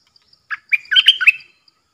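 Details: Bulbul kept caged as a decoy to draw in wild birds, recorded 13 April 2021, with wild birds approaching three times; a quick phrase of rich chirped and slurred notes building to a dense, lively flourish.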